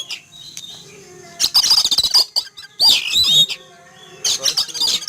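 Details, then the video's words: Caged Oriental magpie-robin sunned in a yard in the morning, frightened and noisy after seeing an eagle flying overhead; three bursts of harsh, scratchy chatter with bright whistled notes, separated by near-silent gaps, plus faint clicks. "Kicau Burung Kacer Ketakutan Melihat Burung Elang Terbang"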